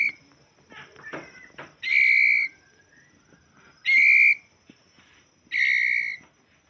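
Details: White-rumped shama giving three strong, sustained, clear whistles at even pitch, spaced roughly two seconds apart. Softer clicks and short notes come before them.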